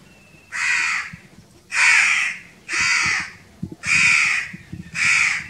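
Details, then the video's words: Crow young demanding food with adult crows nearby: five loud, rasping caws about one per second, each roughly half a second long, over a low background rumble with scattered knocks. "Little and big crows crowing sounds | crow kids demanding for foods"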